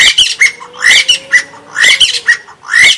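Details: A white-breasted waterhen's repeated grating squawks, each followed by short clucking notes at a steady beat of about one per second, with a faint steady hum beneath.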